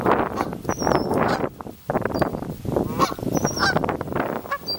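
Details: Canada Goose families, a flock honking almost nonstop, many harsh nasal calls overlapping, with a brief lull midway and a few thin high whistles above.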